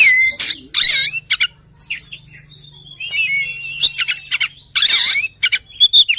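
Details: Oriental magpie-robin song of varied phrases: loud rasping bursts, thin high whistles, a long level whistled note, then more harsh chattering and sweet upslurred notes; faint background hum.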